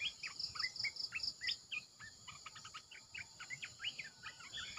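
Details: Decoy recording of Red-eyed bulbuls: a rapid series of high clipped pulses opens, then a jumbled chorus of short warbled and rising notes follows. A continuous high insect drone runs beneath.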